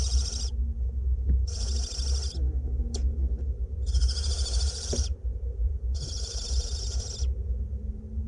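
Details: Hoarse, hissing begging from two barn owlets fed in a north Glasgow nest box: three long wheezy screeches with short pauses between, plus faint clicks and low hum.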